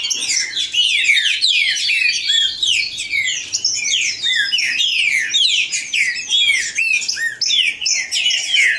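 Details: Green-winged saltator "baderna", a loud, dense session recorded live and meant to fire up a kept bird: overlapping clear whistled phrases, sliding and rising, in a continuous jumble without pauses.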